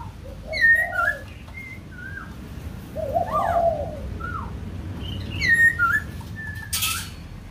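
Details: White-crested laughingthrush from Kbang giving bursts of quick whistled and warbled phrases, a lower gurgling note in the middle, separated by short pauses; a brief hiss near the end and low hum throughout.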